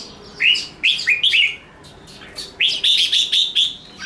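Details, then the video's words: Red-whiskered bulbul in full fighting song, ché nẹt style, used to provoke rival bulbuls: a run of four rising, slurred whistles, a pause, then a fast string of bright, ringing notes at an even pitch. "Chào mào hót đấu ché nẹt cực sung"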